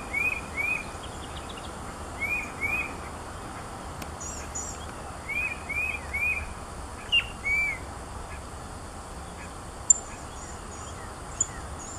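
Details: Presumed Tufted Titmouse, 10–15 m away, in eastern Williamson County, Texas, on 4/3/17, giving short, clear arched notes in pairs and small groups every second or two, with thin high notes above and a steady background hiss.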